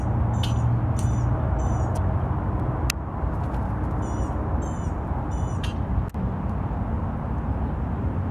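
Boat-tailed grackle giving short bursts of high, squeaky, metallic notes every second or so, over a steady low rumble of traffic.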